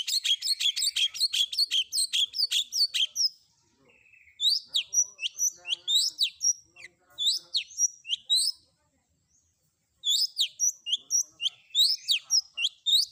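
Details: Long-tailed shrike combination 'isian' filler song for training other shrikes: fast bursts of high sharp chirps repeated many times per second, broken by short pauses, then resuming in varied chattering phrases.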